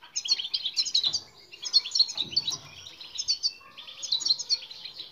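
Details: European goldfinch song for training silent birds: bright, rapid chattering phrases of high twittering notes in repeated bursts, with short gaps between phrases.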